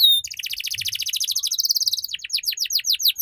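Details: Canary song to help young birds learn ngeriwik: after a bright whistle comes an unbroken, very rapid high trill that breaks into slower, separate downward-slurred notes.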